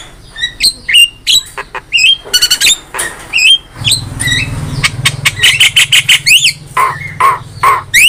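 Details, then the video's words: Javan myna master recording used for training songbirds: a loud, varied string of sharp whistles, squeaky up-and-down slurs, rapid rattling bursts and harsh buzzy notes, delivered in quick succession with few pauses. "MASTERAN JALAK KEBO GACOR"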